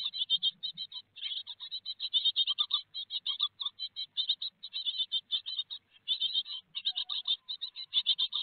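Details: Great tits at a nest box in Théding, France, on 4 May 2021, with a big peanut on the menu; dense rapid chattering of high, buzzy notes repeated several times a second, nearly continuous, with faint low thumps from inside the box.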